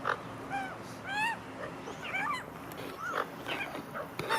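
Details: Magpies feeding together as a family; a scatter of short, quieter rising nasal calls from several birds overlapping irregularly, over steady low hiss.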